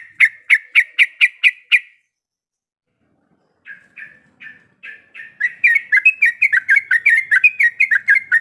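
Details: Female sooty-headed bulbul in breeding condition summoning the male: six quick sharp chirps, two seconds of silence, then softer notes building into a fast, jerky stream of chirping.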